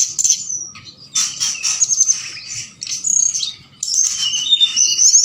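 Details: Forktail calling at night as a lure to excite other birds into answering: bursts of shrill, scratchy high notes and thin whistles, separated by short pauses.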